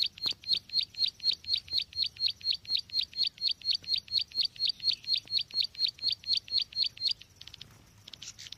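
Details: Bar-winged prinia lure call for bird trapping, a rapid train of bright chirps with a quick falling flick, roughly two per second for seven seconds, then stopping; a low hum underneath.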